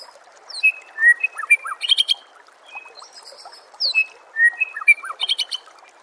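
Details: White-rumped shama song from a songbird training master recording: varied whistles, sharp chirps and bright high clustered notes, with the same phrase sung twice about three seconds apart, over steady rushing background noise.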